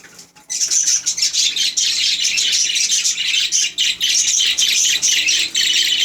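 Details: Budgerigars chattering continuously: dense, high, scratchy warbling with quick twittering notes, hardly pausing for six seconds.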